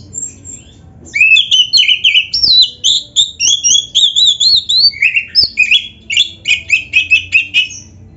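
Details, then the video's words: Black-breasted Oriental magpie-robin in energetic gacor song packed with varied phrases, recorded as a lure to make other kacer sing: a continuous stream of loud, shrill whistles and buzzy rising and falling notes, with occasional clicks. "MASTERAN BURUNG KACER GACOR FULL ISIAN MEWAH 🔥- Buat Pancingan Kacer Agar Cepat Gacor"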